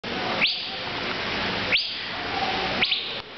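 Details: Male Asian fairy-bluebird calling from a tree at the National Aviary in Pittsburgh, PA, on July 3, 2011, gives sharp, rising whistled notes about a second apart, the last one doubled, over a steady hiss of background noise.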